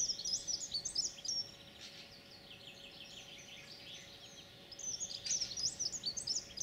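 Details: Song of a European pied flycatcher, 9 June 2019: a rapid high twittering phrase at the start, about three seconds of quiet, then another matching phrase, over low steady background noise.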